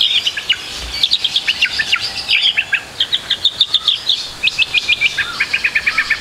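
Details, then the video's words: Trotol white-rumped shama singing on a training recording: fast high chips and crisp staccato notes in quick runs, with a few short trilled bursts. "MASTERAN MURAI BATU TROTOL AGAR CEPAT BUNYI, MURAI BATU FULL ISIAN"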